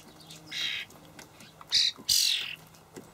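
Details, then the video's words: Juvenile starlings beg while adults feed them dried buffalo worms, Hamburg allotment garden, May 2012; a shorter rasp, then two sharp screeching calls ending in a descending scratchy tail. "junge Stare (Sturnus vulgaris)"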